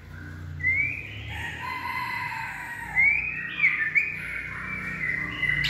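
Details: White-rumped shama in peak singing form with a steely voice: thin, sharp upslurred whistles and sustained ringing notes over a steady low background hum.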